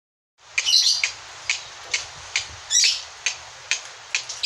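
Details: Pet lovebirds giving the ngekek call: sharp, high chirps repeated about twice a second, with two longer squawky bursts among them and a faint low rumble beneath.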